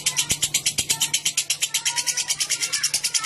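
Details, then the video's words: Clear lovebird ngekek played as a lure for long singing: rapid, evenly spaced high buzzy chirps, about three per second, over a faint low hum, with two sharp knocks early on. "Burung Lovebird Ngekek Jernih Pancingan Buat Lovebird Ngekek Panjang"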